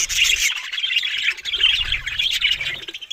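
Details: Australian budgies in lively chatter, sharp high chirps and squeaky squawks crowded together, with soft low bumps in the background.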